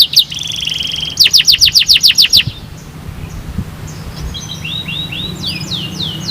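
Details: Canary song used as therapy to prompt other canaries to start singing: a buzzy trill, then a run of about eight fast repeated downslurred notes, fading into softer high whistled swoops, with a steady low hum beneath.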